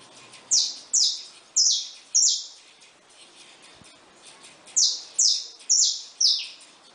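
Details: Saffron finch, caged, with newly hatched chicks, utters four rapid high descending notes, falls quiet for about two seconds, then repeats a similar run of four.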